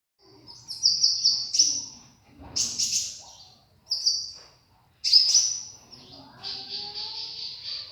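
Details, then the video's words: Konin bird singing vigorously: high, clear sustained whistles repeated in separate bursts about a second apart, some with sharp buzzy onsets, ending in a longer steady whistled note. "BURUNG KONIN GACOR"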